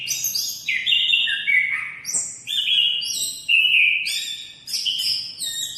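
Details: Anis kembang, the orange-headed thrush, singing vigorously: clear, sustained whistled notes stepping between pitches, with slurred falling and rising phrases flowing almost without break.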